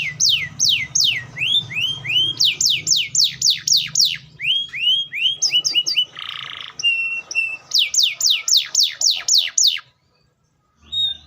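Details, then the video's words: Atlantic canary singing a long continuous song of fast repeated downward-sweeping whistles in rolling series, a brief buzzy note in the middle, then more quick slurred trills before stopping. "THE SOUND OF THE CANARIA SERINUS ORIGINAL SOUND LIKE IN THE WILD"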